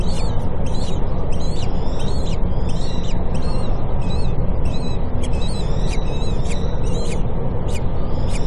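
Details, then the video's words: Common kestrel nest in a Cairo university building where a female feeds just-hatched chicks; a quick series of sharp, harmonic-rich high calls, about two per second, over constant low background rumble. "Common Kestrel feeding chicks"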